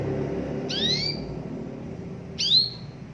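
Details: Canary 'cuit' chirps meant to stimulate canaries to sing: two sharp upward-sweeping whistled notes spaced nearly two seconds apart, each fading into a brief steady tone, with a soft low rumble behind.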